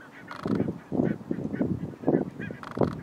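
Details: Thousands of wild barnacle geese in a large flock at Nationaal Park Nieuw Land, Flevoland, the Netherlands: a dense, overlapping chorus of short barking honks and yelps from many birds at once, never pausing.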